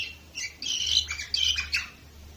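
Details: Canary from Varna, Bulgaria, recorded in 2018, giving a brief rich warble of mixed buzzy and whistled notes with a quick downward slur, over a faint steady hum.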